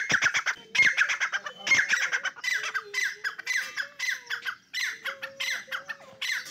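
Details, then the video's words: Dakni teetar partridges clash in a fight, with rasping squawks repeated in regular bursts. A steady, low, drawn-out tonal note holds through the middle and later part. "dakni teeter ki jung kia ho gia"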